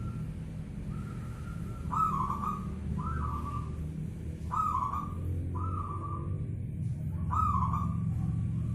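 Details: Local zebra dove calling at night: a series of short, clear cooing notes, each sliding up and then holding level, given roughly once a second, over a steady low rumbling hum.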